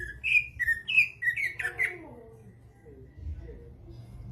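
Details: Greater green leafbird (cucak ijo) singing vigorously: a quick run of clear whistled notes, some slurred and rising, packed into the first two seconds, then fading to soft low murmurs and quiet background hum.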